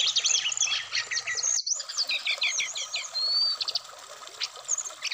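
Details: Black-throated laughingthrush, caged, Indonesia: busy high twittering, a run of about six evenly repeated notes and a short clear whistle, with a brief gap of silence early on.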